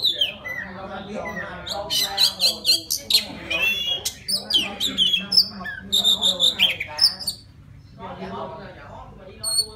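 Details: Wild white-rumped shama singing to call a female: bursts of bright whistled notes and sharp high chips, some sliding downward, in uneven runs, with low murmuring voices underneath throughout.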